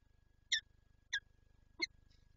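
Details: Peregrine falcon pair at a Lublin nest with an egg, 19 March 2022: three hoarse, grating chips spaced about half a second apart, over a steady low mechanical hum and a faint whine.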